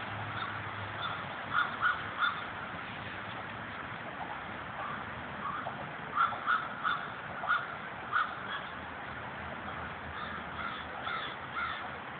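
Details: A murder of crows gathered in old trees beside Victorian houses in Corn Hill, Rochester, New York, giving scattered bursts of harsh cawing, several birds overlapping, over continuous background hum.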